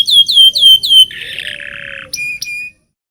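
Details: Local canary song used as a lure to teach young canaries to sing: a few loud downward-sweeping whistled notes, then a buzzy rattling trill, ending in two short sharp chirps.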